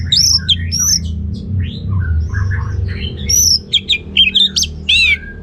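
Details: Orange-headed thrush delivering a ngeplong gacor song. A long run of varied whistles, slurred glides and sharp chipping notes ends with loud, clipped rising phrases, while a low rumble continues underneath.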